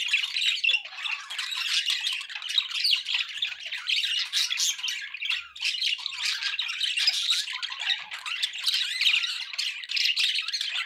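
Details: Constant budgie chatter from a group of pet birds: rapid high twitters, scratchy warbling and clicking squawks layered densely for about eleven seconds with no quiet gaps.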